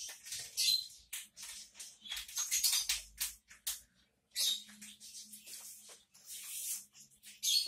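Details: A male parrot, acting as if he cannot talk, gives harsh, scratchy, hissing chatter in irregular bursts of a second or so, separated by brief silences, with no other sounds clearly heard.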